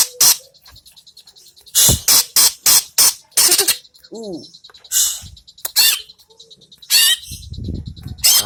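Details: Greater green leafbird heard after moulting, giving a varied run of sharp, loud chattering notes in quick series. A few softer, downward-curving harmonic notes come midway, and a low rumble follows near the end.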